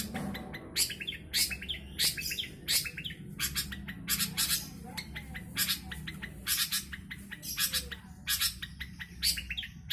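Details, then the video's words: Long-tailed shrike kept in a cage in Jombang, East Java, Indonesia, newly moulted and darker than usual; a steady stream of scratchy, buzzy bursts and sharp chips over ten seconds. "CENDET BULU BARU HABIS MABUNG"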